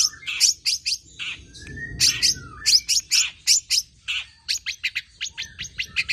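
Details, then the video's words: Singing long-tailed shrike, a tame bird with a rich varied repertoire used to spur and teach other birds: rapid strings of sharp downslurred chirps, accelerating into a fast chattering run near the end. "BURUNG CENDET JINAK GACOR JUARA SUARA FULL ISIAN NEMBAK"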